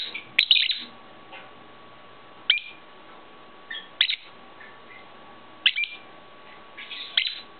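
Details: Pet-shop lovebirds kept at home, including a grey bird whose wings were clipped; sharp, isolated high chirps every one to two seconds over a faint steady hum.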